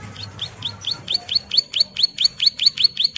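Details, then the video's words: Bar-winged prinia female in breeding condition calls to her mate with rapid, high, rising chip notes repeated a little over two per second. The notes are sharp and evenly pitched, and a soft low hum sits in the background. "SUARA CIBLEK SAWAH MEMANGGIL PASANGAN GACOR NGEBREN"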